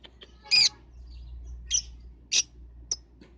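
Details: Lovebird lure call for prompting young balibu lovebirds to sing: four separate shrill, harsh chirps spaced roughly a second apart, the first loudest, over a faint low hum.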